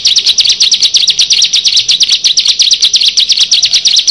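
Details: One of six bar-winged prinias (ciblek) delivering a dense, rapid series of bright, high, buzzy chirps at a steady fast pace for the whole stretch.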